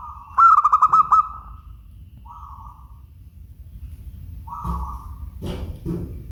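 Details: Zebra dove, a local Indonesian perkutut, giving one short burst of quick, pulsed coos, followed by fainter, smeared tonal notes and a few low thumps and knocks.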